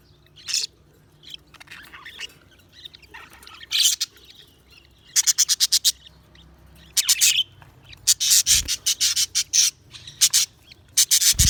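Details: Budgies giving rapid trains of harsh, clicking chirp pulses in bursts, separated by quieter pauses, with a couple of low knocks.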